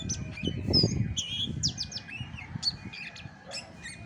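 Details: Chestnut-backed thrush singing its natural song without tutor tracks: a burst of fast, varied, high chirps and slurred whistles, then sparser notes, with low rumbling thuds early on.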